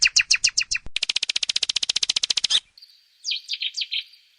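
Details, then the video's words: Nightingale song: a short series of bright notes, then a long, dense, machine-gun trill of loud, even pulses for almost two seconds, followed by softer slurred whistles. "Som do canto do Pássaro ROUXINOL"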